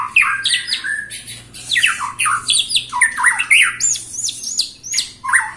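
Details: Caged white-rumped shama stated to be 21 years old, still singing persistently: varied loud whistled phrases, upward and downward slurs and harsh notes in quick succession, over a low steady hum.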